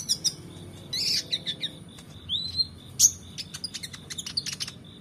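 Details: Oriental magpie-robin singing as a training tutor for competition birds: varied high chirps, a buzzy burst, a rising whistle and a fast run of sharp ticking notes, over faint low hum.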